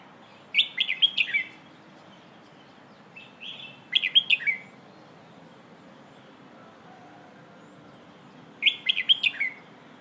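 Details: Training song of a Red-whiskered bulbul in the 'Hoh' style, meant for young birds to learn: three rapid burbling phrases of sharp up-and-down notes, with a softer short phrase slipped between the first two.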